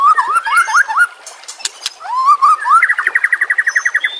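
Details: White-rumped shama training song for captive birds: low looping whistled notes, a few sharp clicks, rising slurred whistles, then a fast even trill of repeated notes.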